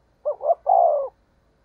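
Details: Single coo phrase from a spotted dove used as a decoy, 'thổ'-style urging voice: two brief low hollow notes run straight into a longer, steadier falling coo.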